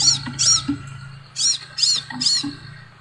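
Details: Quick, piercing arched chirps from a Crimson sunbird come in two short groups separated by a brief pause, with a soft low hum and faint clicks in the background.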